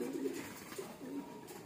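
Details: Domestic pigeons at a loft, being released to fly: low, soft cooing tones held briefly and repeated twice, over steady background hiss and room noise.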